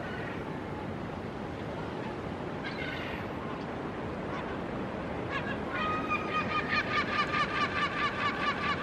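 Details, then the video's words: Hudsonian whimbrel at Reñaca, Chile, in 2023: a rapid rippling series of clear whistled notes, about two per second and growing louder toward the end, over steady roaring surf. "Hudsonian Whimbrel"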